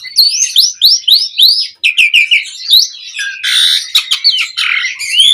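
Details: Asian pied starling singing 'mompa' as a lure: a series of repeated rising whistled slurs, then quick clicking chatter and a long harsh buzzy rasp before more twisting whistles.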